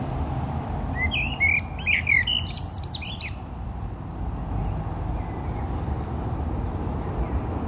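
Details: A common blackbird sings a clear, flowing phrase of mellow whistled notes that rises into high squeaky twittering, lasting about two seconds, followed by quieter background hum.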